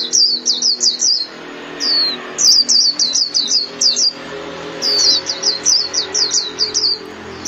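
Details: Japanese white-eye song played daily to train caged birds: rapid series of high, sharp chirping notes in quick runs of five to seven, separated by brief pauses, loud and clear over a faint low hum.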